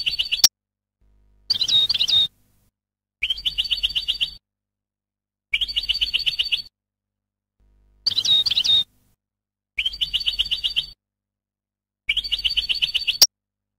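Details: European goldfinch educational song for training birds: seven short phrases, alternating rapid buzzy trills with twittering flourishes, each about a second long and spaced by silences.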